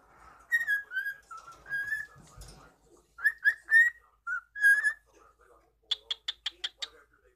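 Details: Cockatiel in a home setting whistling for the camera, linking clear wavering whistles into phrases, then ending with a quick series of six sharp, evenly spaced chirps.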